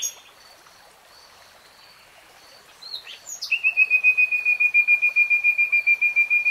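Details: Common nightingale by a stream, opening with soft high notes, then a long, fast, evenly pulsed series of pure whistled notes held at one pitch for three seconds over quiet running water.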